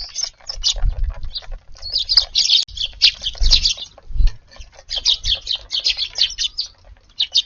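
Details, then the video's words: Eurasian tree sparrows come to a garden for lunch on a mild February 10th. They chatter steadily with rapid, high, clipped chirps, joined by scattered low knocks. "スズメが庭に来ました！ No218 2/10 お昼ごはんのチュンたちです"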